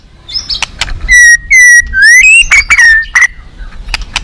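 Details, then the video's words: Song-contest white-rumped shama, fierce and full of rich isian: long pure whistles, a rising slur, then loud descending whistled notes among sharp clicks, ending in quieter background. "siapa di gantang burung ganas full isian mewah"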